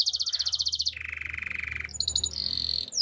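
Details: Belgian canary morning song: a rapid high trill gives way to a lower steady rolling tour, then a short bright whistled trill, all delivered in quick even pulses.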